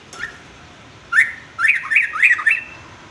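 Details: Sooty-headed bulbul song used as a tutor for young males: a quick run of four or five liquid rising-and-falling whistled notes after a single opening note.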